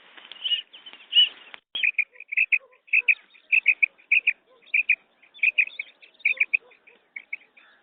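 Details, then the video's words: Female quail calling, a sound used for hunting: rapid paired and tripled high chirping notes repeated roughly twice a second after a few longer slurred calls at the start, with a couple of sharp clicks. "Madi ki new awaz | female quail sounds | مادی بٹیر کی زبردست آواز شکار کے لیے"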